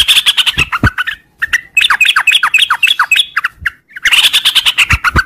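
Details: Sooty-headed bulbul singing a long 'ngropel' song in the morning: excited chattering and a string of quick, downslurred whistled notes, with some sharp clicks in the background.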